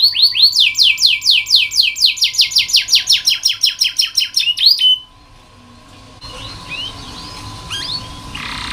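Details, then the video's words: Canary song used as training for young birds that rarely sing: a long series of quick descending notes, several per second, stopping abruptly, then faint distant chirps and a soft trill. "KENARI malas bunyi, Terapi untuk kenari masteran canary"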